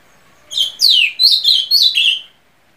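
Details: Ultramarine grosbeak (azulão) singing a short phrase of about five clear whistled notes. The first slurs steeply downward, and the following ones are warbled and slightly descending. The phrase lasts under two seconds against a quiet background.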